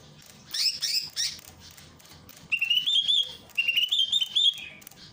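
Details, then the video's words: Greater green leafbird from Ujung Kulon, recorded as masteran training material with a water fountain: a few sharp descending notes, then two bursts of rapid warbling whistles holding a steady pitch. "masteran cucak ijo dengan terapi air mancur"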